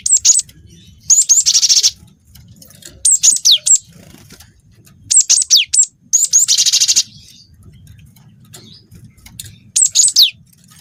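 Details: Cinereous tit song said to be full of canary-style phrases: short bursts of thin, very high downslurred notes and fast buzzy trills, separated by pauses of one to two seconds, over a faint low rumble.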